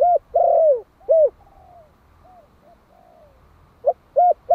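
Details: Spotted dove of the Malai strain, a one-year-old decoy bird in Vietnam calling to lure wild doves: a low cooing phrase of short coos around one long, drawn-out falling coo, a pause, then the phrase starts again.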